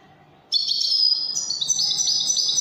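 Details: Moroccan Wedani song of a European goldfinch bursting in after a brief silence: fast, liquid, high-pitched chattering notes with buzzy trills, steady and energetic.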